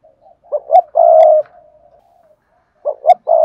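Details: Spotted dove singing in the Cườm Sa song style, praised for its fine, well-matched voice: one low cooing phrase of two short notes and a long held coo, then the next phrase beginning.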